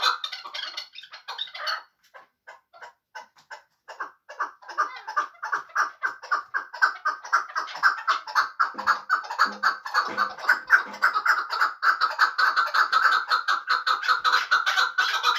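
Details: Hunting chukar partridge of Muminobod: a few faint notes, a short pause, then a long run of clucking chuk calls, repeated roughly twice a second and building in loudness toward the end.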